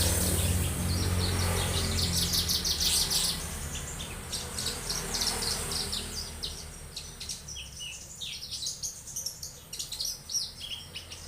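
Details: Young Javan bush lark in sustained song, fast high chirps and rattling trills, accompanied by a loud hissing background and a low hum.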